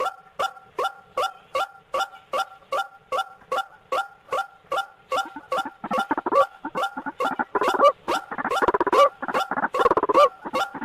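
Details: White-breasted waterhen lure call for trapping: evenly spaced, twanging two-tone notes with hard clicks, about three per second, later blending into a denser, louder chorus of harsh croaks and squeals.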